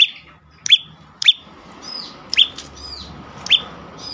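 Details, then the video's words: Prinia, a lure recording meant to make other birds sing: five sharp, high chirps, each a quick downward flick, spaced roughly a second apart, over a faint steady hum. "full Dorrr prenjak lumut lain makin tergoda berbunyi sangat ampuh untuk pancingan burung bisu"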